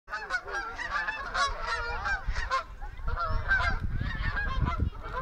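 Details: Skein of geese flying, giving a dense overlapping chorus of nasal honks, many birds calling at once with rising and falling notes, with low rumbling wind underneath.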